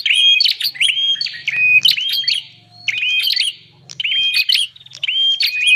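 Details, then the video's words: Bar-winged prinia lure recording, played to attract wild prinias: bright whistled phrases, each a level note with sharp flicking chirps, repeated in bursts separated by short pauses, with faint low hum underneath. "Suara pikat burung prenjak paling ampuh"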